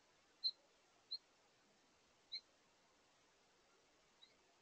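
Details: House finch calls from a pair communicating at a bird feeder during their last meal of the day: four short, high chirps spaced irregularly about a second apart, the last one faint, over a steady soft hiss.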